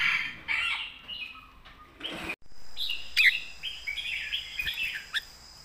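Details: Red-whiskered bulbul singing a southern Thai master song with a strong voice: warbled whistled phrases, a brief sharp break, then more bubbling whistles against a steady faint high hum.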